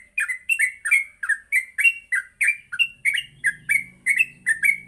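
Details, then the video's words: Morning ngropel-style chatter of a yellow-vented bulbul, meant to teach other bulbuls to sing: steady, rapid string of short warbled notes, roughly three or four per second, with a faint low hum joining near the end. "Pancingan Pagi burung trucuk Gacor sangat cocok untuk melatih trucuk belajar bunyi dan ngropel"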